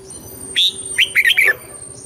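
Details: Single phrase of red-whiskered bulbul song in the southern Thai style, for training birds: a long high whistle, short pause, then four quick chirpy warbling notes falling slightly in pitch.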